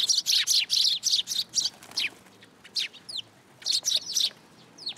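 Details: Sparrows gathering for food at a Tenmangu shrine, 10 July 2022: a dense opening volley of loud, scratchy chirps, then sparser calls with a few thin sliding notes near the end.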